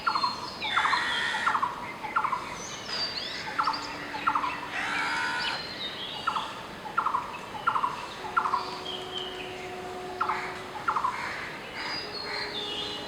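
Blue-throated barbet giving loud, throaty notes repeated over and over at a brisk, steady pace, while other birds chirp and twitter higher above.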